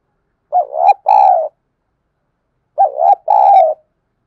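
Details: Thúc bổi decoy cooing of a spotted dove, meant to goad wild doves into calling back: two matching phrases, each a rising, wavering coo followed by a longer steady hoarse coo, about two seconds apart.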